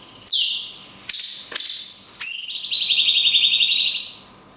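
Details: Cungkok 'tembakan kunti panjang' used for training songbirds. A piercing falling whistle and short high notes lead into a long, fluttering, sustained whistle that dips slightly in pitch.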